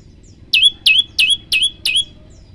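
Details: Prenjak lumut, the olive-backed tailorbird, giving a short 'tembakan' phrase for training: five bright, shrill notes, each dropping sharply into a brief steady whistle, about three per second.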